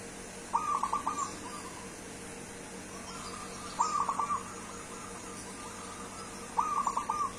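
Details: Wild-origin local zebra dove from Kebumen, singing vigorously: three separate phrases of quick, bubbling coos about three seconds apart, each ending in a short trill. A faint background hum runs throughout.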